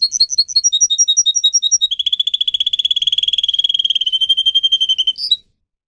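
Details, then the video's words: Domestic canary song opening with bouncy two-note whistled phrases, shifting into a long rapid steady trill, ending with a short high note and then quiet. "Canary song video - type of song"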